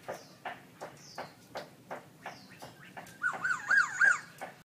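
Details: Caged black-throated laughingthrush singing very loud at a birdsong contest in October 2016: a steady run of short pulsed notes with thin falling high slurs, ending in loud wavering whistled phrases repeated in quick succession.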